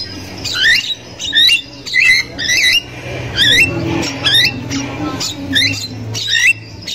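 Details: Javan myna recorded in the wild, a very vocal female's chatter meant to stimulate young birds: looping, twisting whistled squawks, several per second in uneven groups, with a constant low droning hum behind.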